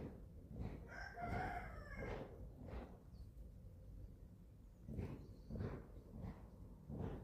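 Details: On a small family farm in Germany, 11-week-old chicks at feeding time: one harmonic, slightly wavering call near the start, then repeated soft noisy bursts, likely pecking or scratching, over low rumble.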